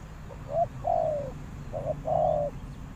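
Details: Spotted dove calling as a lure for wild doves; two drawn-out mellow coos, each opened by a short clipped note, low-pitched and steady, against a quiet rumbling background.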